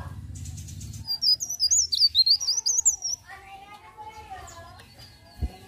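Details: A leaf warbler sings in the morning: a fast run of high, thin, twittering notes for about two seconds, then softer warbling over faint low background noise.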